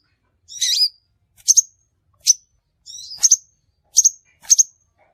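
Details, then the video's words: Trapping lure of a crimson sunbird: a scratchy, warbled high note followed by crisp doubled chips, roughly every three quarters of a second, very high-pitched and clean. "suara burung sepahraja ampuh"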